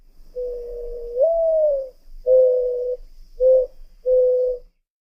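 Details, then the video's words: A dove gives soft, low hooting coos: a long drawn first note rising slightly, then three shorter even coos about a second apart. "sound of a dove"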